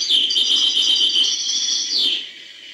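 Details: Goldfinch song in the hbal style: a bright, rapid twittering run of high tinkling notes, sustained and then ending with a sharp downward slur.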